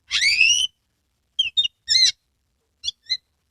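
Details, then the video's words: Caged Oriental magpie-robin from Kebumen, Central Java, singing in full 'konslet' style with tail spread, used to prompt other magpie-robins to sing. It opens with a loud harsh rasping phrase, then after a pause gives short bright whistled notes and a brief chatter. "Kacer gacor"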